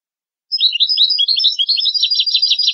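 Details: Goldfinch song used to train goldfinch and hybrid chicks: continuous bright twittering of quick, tinkling notes over about two seconds, growing denser and more rattling toward the end, with no other sounds.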